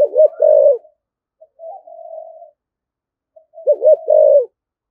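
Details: Spotted dove with a thổ voice cooing hard in thúc gù style: a short cluster of hooked coos ending in a drawn-out note, a soft wavering hum, then the same cluster repeated.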